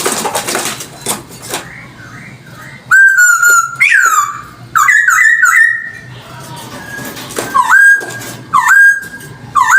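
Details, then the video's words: Chinese hwamei song, offered as a lure recording: after a quiet start, loud clear whistled phrases begin, with long level notes, sharply falling slurs and quick rising-falling warbles, broken by short pauses, over a faint low hum. "Audio suara burung poksay hongkong || cocok untuk pancingan"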